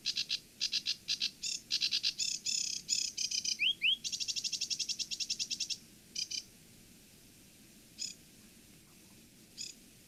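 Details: Sedge warbler song, typically from a bird skulking deep in vegetation: fast, gravelly chattering rattles in varied bursts with a couple of quick rising whistles, tailing off into scattered single phrases.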